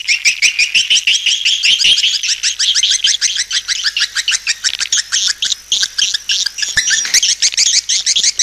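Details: Swiftlet calling sound, very fast series of short sharp chirps, several per second, in a lively rattling chatter.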